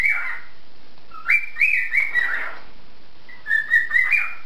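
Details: Cockatiel (Nymphicus hollandicus) whistles a cheerful, rhythmic tune of clear rising and falling phrases in a duet with a canary, the two listening and reacting to each other; courtship or friendship song.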